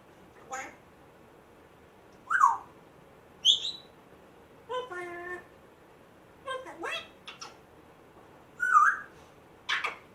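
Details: Rescued captive African grey parrot, one month after rescue, making a string of odd learned sounds: squeaky door-like squeals, short harsh bursts and a series of evenly spaced harmonic honks, separated by brief pauses.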